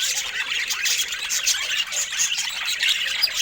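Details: Budgerigars give constant overlapping high-pitched chatter, a busy mix of short squeals, chirps and warbling phrases at an even, lively level throughout.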